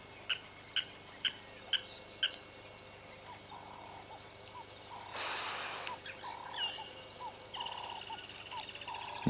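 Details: At Jackie's Dam waterhole, Sabi Sands, South Africa, on 22 February 2026, a Cape turtle dove repeats its low, hoarse three-note 'work harder' coo, opening with a blacksmith lapwing's metallic tinks, with a laughing dove and other birds and a brief rustle.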